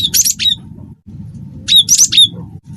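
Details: Cinereous tit (gelatik batu), wingko type, described as gacor, a persistent singer: two bursts of harsh, scratchy chattering notes about a second apart, with a steady low rumble of background noise.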